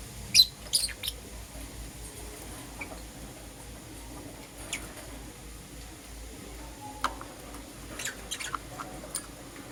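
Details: Lovebirds, a green Personata and a yellow pastel pied, chirping in the morning: sharp high squeaky chirps in short bursts near the start, then scattered single chirps and a brief squawk later over a low steady hum.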